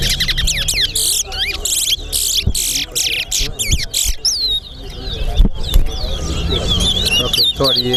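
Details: Chestnut-bellied seed finch (towa towa) in a singing race between two birds at the Sheriff Street bird ground: rapid whistled and warbled phrases, sliding high notes and chatter, with a man counting aloud, other birds and background voices.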